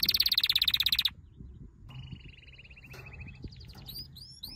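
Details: Canary in training song, beginning with a loud rapid high trill, then a softer lower rolled trill and faint rising whistles over background hiss.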